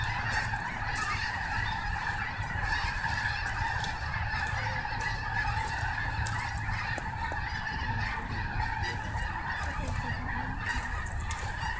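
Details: Snow geese at Snohomish massed and calling, a continuous blur of many honking voices at an unchanging level, a faint ticking here and there, over low rumble.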